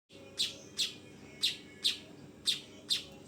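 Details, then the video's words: Young weaver calling with short harsh chirps centred high in pitch, six evenly spaced notes about every half second, over a steady low hum. "SUARA BURUNG MANYAR TROTOLAN!!"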